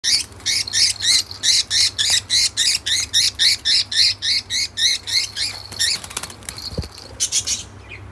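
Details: Two male budgerigars that are usually good friends fight aggressively in the morning, giving rapid, harsh, scratchy squawks repeated about three times a second.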